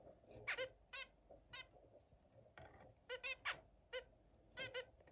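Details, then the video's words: Zebra finches playing with other birds, giving quick nasal honking calls in clusters, several close together, over faint background hum. "Zebra finch’s playing with other"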